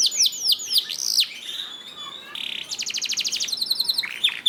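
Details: A training song for canaries that rarely sing, with sweeping high slurs, a soft buzzy stretch, then a steady rattling trill of about nine notes per second and a closing whistle.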